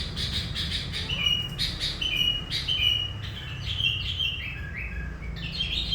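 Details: Lure bird, a sooty-headed bulbul said to have pulled in hundreds of its kind, delivers a lively gacor song: a string of bubbly, warbled whistles stepping up and down, with pulsed chirping in the background and low hum.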